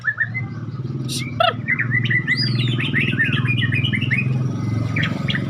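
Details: Medan-type white-rumped shama delivers a rapid string of chattering, slurred notes and rising whistles, dense and fast, over loud low engine-like rumble.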